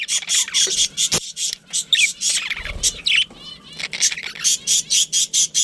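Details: Pet budgerigars, a breeding pair, with scratchy warbling chirps, a few rising whistled notes, a low thump, and then a regular run of short chirps repeated about every third of a second.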